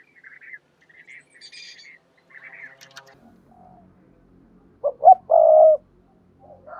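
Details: Spotted dove coo played to stimulate doves to call. Higher chirping from other birds comes first, then a loud phrase of two short notes and a sustained low coo.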